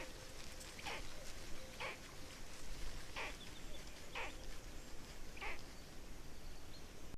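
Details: Black stork nestlings in Estonia on 18 May 2019, a fourth chick among them: five evenly spaced breathy, nasal hissing calls, roughly one per second, against a constant low-frequency hum.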